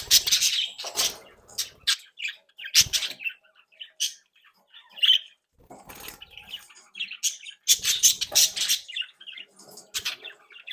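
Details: Playful captive budgerigar flock from a home breeding group, young birds just leaving the nest among them: scattered chirps and harsh squawks in bursts, with soft thumps and wing flutters between calls.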